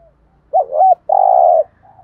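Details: Spotted dove lure call, from male and female birds, used for training caged doves: a wavering, bubbling coo followed by one long, steady, low coo, then a faint, soft coo trailing off.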